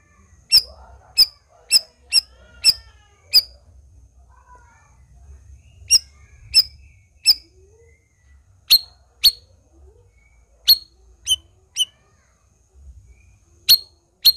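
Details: Black-crested bulbul calling actively, giving crisp high chip notes in irregular bursts of three to six, with pauses of one to two seconds between groups, over a quiet low hum.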